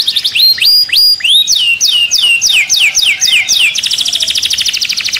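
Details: Caged canary described as agitated, singing a series of downward-sweeping whistled notes in quick phrases, then switching to a fast, even buzzy trill.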